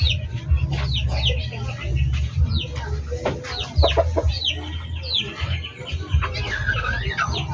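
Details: Backyard chickens give sporadic high, falling peeps over a heavy low droning hum, with a few knocks and a brief wavering call near the end.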